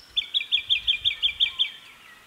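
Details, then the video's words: Jacky winter (Microeca fascinans) in the Capertee Valley, NSW, early September 2018, mid-morning in early spring: a loud, quick burst of about nine sharp, identical chirped notes, evenly spaced, then a fading tail. "Wonderful sounds of spring – a Jacky Winter sings"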